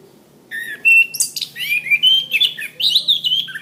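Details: Orange-headed thrush song recorded as a master track for training cage birds: after half a second of quiet, a run of varied clear whistles, sliding and warbling phrases with a few higher chirps, continuous to the end.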